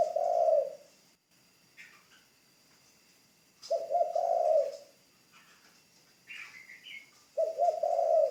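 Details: Spotted dove used as a ground decoy, in training, delivering three mellow, rolling coos spaced roughly three and a half seconds apart, with scattered faint chirps and a steady high hum behind.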